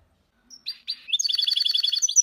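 A goldfinch-canary hybrid sings a bright, rapid twittering song of repeated high notes.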